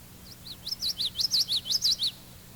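Common yellowthroat song: high, rolling phrases of quick slurred notes, repeated rapidly like witchity-witchity-witchity, over a faint low hum.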